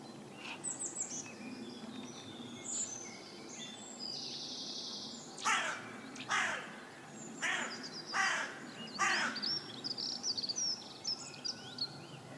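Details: Carrion crow up in a tree, giving harsh, rasping caws in a loose series of about six during the latter half, over steady broadband background noise with scattered high chirps from small birds.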